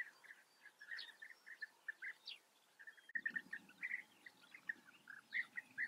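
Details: Colony of European bee-eaters in the Eifel region of Germany calling together: short, liquid, purring notes repeated in uneven bursts from several birds, plus a brief low rumble of handling noise midway.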